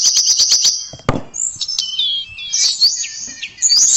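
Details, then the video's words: Tledekan (blue flycatcher) song, used as training material for songbirds: a quick series of sharp high ticks, one loud click, then flowing high warbled phrases with downward slurs and a bright trilled ending. "Kicauan Merdu TLEDEKAN"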